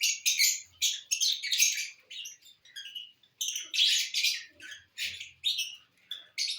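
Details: Lovebirds feeding on corn, dated 18 December 2022; bursts of shrill, scratchy chirps in quick irregular clusters, separated by short pauses, with faint low thumps beneath.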